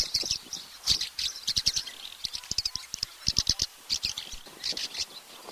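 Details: Swallow in Russia singing a continuous run of high twittering phrases, scratchy and fast, with sharp clicks scattered through.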